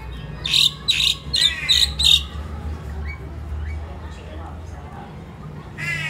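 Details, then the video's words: Home-kept pet crested myna, a mimic bird in the Philippines, uttering five loud, harsh, buzzy notes in quick succession, then falling mostly quiet before a final rasping burst; a faint hum runs underneath. "CRESTED MYNA BIRD|| CHIRPING SOUND|| MIMIC BIRD"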